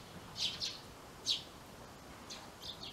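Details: Female Eurasian tree sparrow inspecting new nest boxes built in a yard garage: a few short, high chirps, a quick pair followed by a single note, then fainter chirps over steady background hiss.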